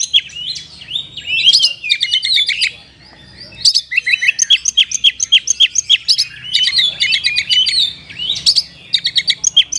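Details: Oriental magpie-robin, a lively caged singer with a rich fill-in song, played to rouse sluggish caged birds into singing. Fast, varied whistles and buzzy notes come in dense bursts of rapid repeated chips, with a brief quieter gap near the middle.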